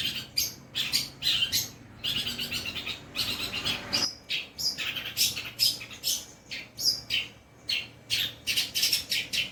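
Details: Long-tailed shrike, kept bird, singing in a mimicry training setting: a rapid run of harsh, scratchy chirps and short buzzy notes in dense bursts, with brief pauses, all at high pitch.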